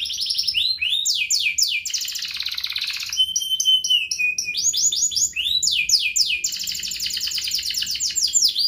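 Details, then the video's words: Canary in full ngerek-style song, used as a lure to get young canaries learning to sing and lazy canaries to sing: fast rows of high descending sweeps, a long buzzy roll, then a thin steady whistle, then more rapid sweeping trills. "Kenari Gacor Ngerek Menekan Lawan Ahlinya pancingan Kenari paud belajar Bunyi dan Kenari Malas Bunyi"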